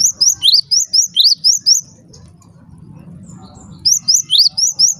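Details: Java sparrow calls meant to set other Java sparrows calling: bright, high, upward-sweeping chirps about twice a second, a burst of nine, a two-second pause with low murmur, then six more.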